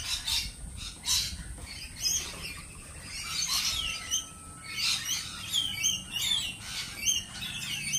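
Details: Lorikeets calling with sharp, high, chirping screeches spaced about a second apart, over a bed of fainter chatter.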